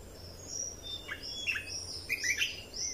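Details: Red-whiskered bulbul song used as a training recording to teach young birds and excite caged birds: a few short slurred whistled notes and rising chirps, sparse and uneven, over a steady low background hiss.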